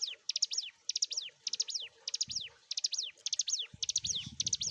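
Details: {'text': 'Ciblek gunung prinia singing persistently for songbird training: repeated chip-chip-chip-sweep phrases, each ending in a downward slur, with soft low thumps in the background.'}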